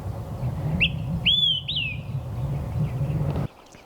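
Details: An olive-sided flycatcher on Mount San Jacinto along the Pacific Crest Trail, Southern California, gives its loud territorial 'quick three beers' song from a prominent treetop perch: a short lead note, a strong slurred middle note and a falling end, over low rumble.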